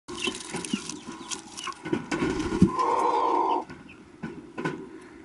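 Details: Baby budgerigar chicks, dated 4-09-12: harsh, raspy broadband chattering with clicking bursts, then a sustained nasal, harmonic-rich rasp lasting almost a second, followed by quieter scattered scratchy notes amid soft rustling.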